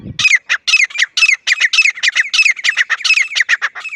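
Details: Loud grey francolin call: a fast series of harsh, squawking notes delivered in quick pairs and runs, about four a second, after a brief low thump at the start.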